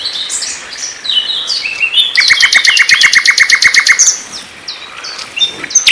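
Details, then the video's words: Clear flycatcher (sikatan londo) song for training songbirds: scattered high twittering notes, then a fast, even run of repeated sharp chips lasting about two seconds, followed by softer scattered twitters. "suara burung sikatan Londo jernih"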